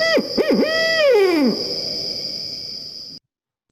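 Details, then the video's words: Barred owl, "Who Cooks for You?" call played back: quick clipped hoots, then a long sustained note falling away at the end. A faint steady high tone continues, then cuts to silence. "So that's our 4-note call for the spotted owl, and this is a barred owl call, which is a pretty common call. It's often called "Who Cooks for You?""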